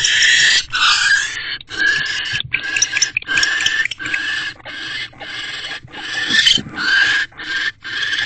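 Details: Barn owls at a nest box, owl box C, on 19 January 2024 at 6:04 pm, as the male brings food to his mate. Harsh, breathy hissing screeches come in uneven bursts of about half a second, with short gaps between them.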